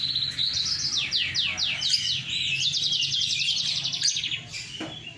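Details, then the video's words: A Mozambique crossed with canary delivers lively, continuous song: steep descending slurred notes followed by a long, even, buzzy trill and varied twittering. Faint low rumble underneath. "Suara Burung Moken Gacor / mozambik × kenari"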